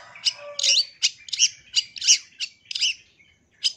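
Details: Long-tailed shrike giving a series of harsh, scratchy chattering notes in quick uneven bursts, about eight in under four seconds, each broad and grating, with a short gap before a final note.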